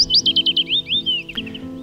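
Willow warbler singing a sweet, liquid phrase of about a dozen soft notes that slide gently down the scale, over quiet background music.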